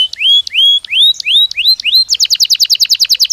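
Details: Belgian canary song played as a training stimulus: six rising whistled slurs repeated about three per second, then a fast dense trill of short notes repeated rapidly to the end.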